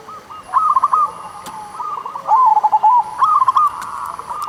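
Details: Local zebra dove song used to stimulate slow-singing doves: three rolling phrases of fast, bubbling coo notes with gentle rising and falling inflection, separated by brief pauses.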